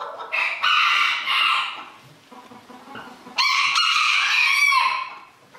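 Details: Contest rooster crowing at the 2022 Villers-la-Ville event. A stuttered, broken crow comes first, then a long, strong crow after a gap filled with soft clucking and hall murmur.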